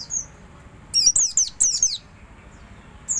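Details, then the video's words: An oriental white-eye gives a soft twittering song for training other white-eyes: a rapid burst of thin, very high twittering notes lasting about a second, bracketed by single high chips, over quiet background. "buat masteran burung omyokan biar ikut ngeriwik alus"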